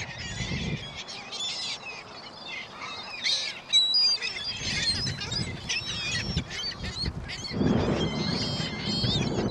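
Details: Flock of gulls gathered at a shopping mall on Christmas Day 2014 in very strong wind: many overlapping high, harmonic squeals and mews rise and fall together, with gusts of wind rumbling on the microphone.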